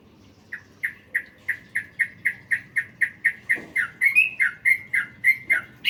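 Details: Sooty-headed bulbul used as masteran training material with full fill phrases: a steady run of sharp, bright chirps repeated about four times a second, growing louder and slightly higher midway, with faint background rustle.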